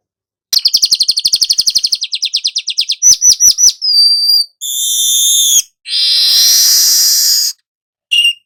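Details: Golden-headed weaver song for tutoring other birds: a rapid, slowing ticking trill, whistled upslurred notes, then long grating buzzes and a closing chip.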